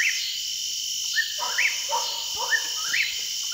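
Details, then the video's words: In September 2021, an Eastern whip-poor-will gives rapid, rising-and-falling whistled phrases that repeat about twice a second over a steady, high insect drone. "Eastern Whippoorwill Bird's Song Call Sound"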